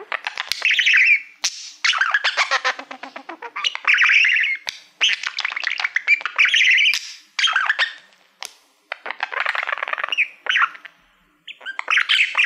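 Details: Pet budgerigar, a male that loves mirrors, singing to a shiny mirror-like plaque: a long, chattering warble of buzzy, scratchy notes and squeaky chirps in bursts of about one second with short pauses, continuing throughout.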